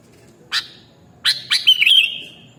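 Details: Sooty-headed bulbul (kutilang): a lone sharp note, then two quick chips leading into a liquid, warbled whistle that drifts lower and fades.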